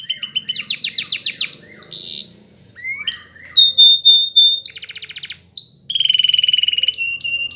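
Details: Belgian canary song for teaching young canaries to sing diligently: fast rolling trills, long pure whistled tones, abrupt note changes and a buzzy low-pitched trill near the end.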